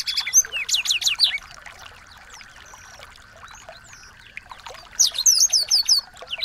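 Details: Small birds singing as a training recording for a white-rumped shama: a short volley of stacked chirps and trills, a long near-silent lull with scattered soft notes, then a quick series of repeated whistled slurs.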